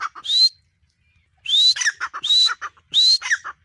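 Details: Female grey francolin, known locally as teetar, calling: four loud, shrill, rising whistled notes with harsher buzzy overtones, given in quick phrases about three-quarters of a second apart after a brief opening note and a pause, with no other sounds.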